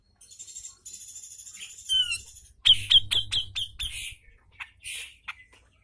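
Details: Grey-cheeked bulbul, known locally as cucak jenggot, in a tutoring recording used to coax lazy birds into singing, 'ngepik' style: hissing trills, a slurred whistle, then a rapid run of sharp piercing chips about four per second.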